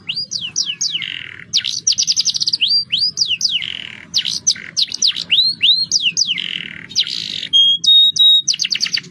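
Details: Young canary singing a roll-style song used to prompt other birds to sing: rapid repeated high chirps and sweeping downward notes in fast trilled runs, with a few pure steady whistles, over a faint low hum.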